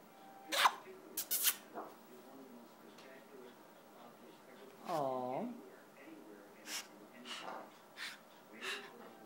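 A scarlet macaw gives one nasal, harmonic-rich utterance that dips and rises midway, surrounded by sharp clicks, breathy puffs and brief squeaky noises.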